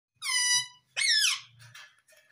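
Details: Pet Indian ringneck parakeet indoors in a small room, saying "mummy": two loud harmonic-rich squawky syllables, the second rising then falling, followed by softer chatter.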